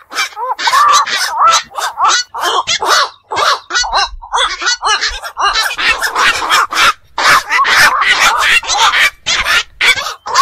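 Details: Black-crowned night herons (bakchu, nishi bok), a bird of ponds and beels that stays awake at night, keep up a crowded chatter of raspy, clipped squawks, several birds calling over one another at a fast, uneven pace.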